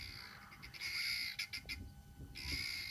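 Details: Guineafowl on the ground below a bird of prey eating a small bird give harsh, grating alarm squawks in rapid, ragged bursts. They pause briefly before the chatter starts again, over a low background rumble.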